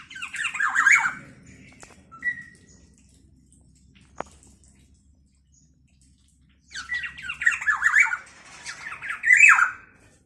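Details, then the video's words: Black-naped oriole in full voice, a sound said to rile other orioles: a loud series of rasping, downward-slurred squawks, a short whistle, a long silence, then two more bursts of harsh nasal calls. "Kepodang emas gacor|SuaraNya bikin emosi burung kepodang lainNya"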